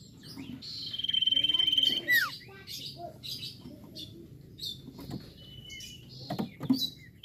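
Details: Singing common iora (cipoh or sirtu) used to stimulate untrained birds: a pulsing high trill ending in a falling slur, followed by several seconds of scattered soft chirps, clicks and brief whistles.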